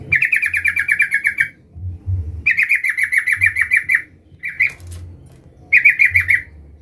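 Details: Yellow-vented bulbul calling energetically to summon a rival, played as a lure to make other bulbuls sing: bursts of rapid, bubbly chattering notes repeated many times a second, separated by short pauses, over a faint low hum.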